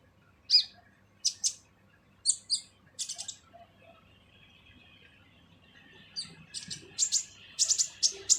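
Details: Purple-throated sunbird (kolibri ninja) in harsh full song used to train other birds: spaced sharp, buzzy chirps, a quieter pause, then a quickening burst of high piercing notes.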